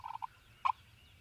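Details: Spring wild turkey gobbler in Mississippi, morning: a short fast run of pulsed notes followed by one loud harsh burst, with a faint low background hum.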